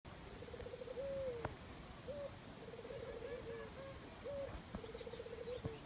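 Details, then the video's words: Dove calling in the jungle: low, soft purring coos with a rapid tremolo, each phrase ending in a short upslurred or drooping note, repeated steadily over a hissing background with faint clicks. "Dove birds sound jungle"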